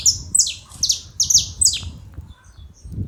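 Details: A short run of about six sharp, high, falling chips from saffron finches at a feeding spot, bunched in the first two seconds, then near silence against low background noise.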